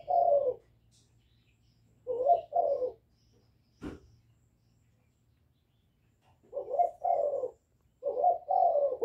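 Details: Young spotted dove giving sparse calling and bowing coos meant to attract wild doves: low double-note coos in separate bursts with long silent stretches and one sharp click between them.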